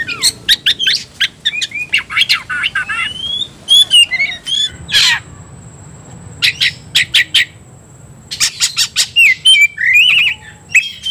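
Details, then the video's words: Oriental magpie-robin roused into fighting mood, in full aggressive song: rapid bursts of sharp chips and twisting whistles, harsh rasps, and a long thin steady whistle, with short pauses between phrases. "kacer gacor tarung ngobra"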